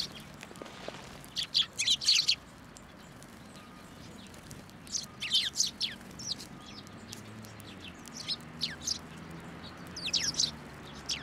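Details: Several sparrows arriving to be fed on a shrine pillar at a Tenmangu in Japan, 1 January 2024; scattered groups of high, clipped chirps, a dense cluster near two seconds, then irregular single and paired notes.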